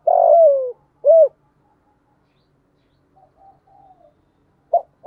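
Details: Spotted dove with 'giọng thổ' voice, calling to set off other doves: a long drawn-out falling coo and a short rounded coo, quiet faint cooing after, then new short notes beginning.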